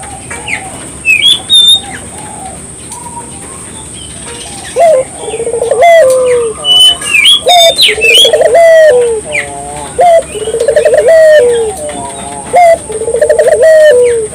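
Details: Energetic Barbary dove song, played to prompt local doves to sing along. After quiet chirping from other birds, a series of low rolling coos begins, each a stuttered trill sliding into a long falling tone, repeated steadily over a steady high whine.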